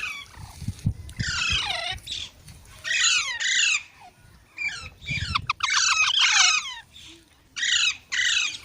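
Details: Green parrot squawking repeatedly, with harsh falling screeches and a burst of rapid chattering notes, plus a few soft thumps in the background.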